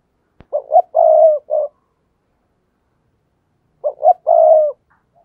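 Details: Spotted dove used to lure wild doves into a trap, giving two coo phrases about three seconds apart. Short double notes and a long coo, the first phrase ending in a brief note, after a sharp click.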